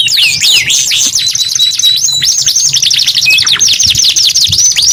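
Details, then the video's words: Canary in full song, loud and bright, with a steady flat whistle, a long buzzy trill of rapid repeated notes and a few short swoops. "KENARI GACOR 2 IN 1 | CANARY SINGING"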